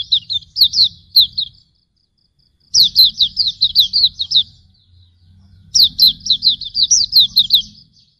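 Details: Auriventer white-eye (Hume's white-eye) tutor song for cage birds: three loud bursts of high, sharp, chattering notes, each made of many quick down-slurred chips, with silent gaps between.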